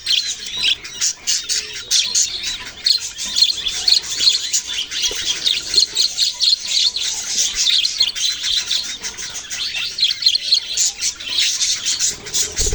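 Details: Several baby budgerigars keep up a loud, unbroken chatter of shrill chirps and scratchy squawks, densely layered and pulsing rapidly throughout.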